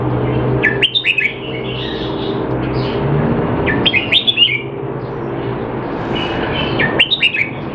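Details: Red-whiskered bulbul kept caged in Singapore, training to stay sharp while out of form, 25 December 2020; three quick chirpy warbled bursts spaced about three seconds apart over a low droning hum.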